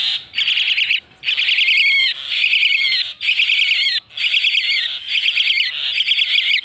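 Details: Common myna, locally called shalike or moina xaliki, calling in harsh, chattering bursts of about a second, each packed with rapid buzzy notes, repeated after short pauses roughly once a second.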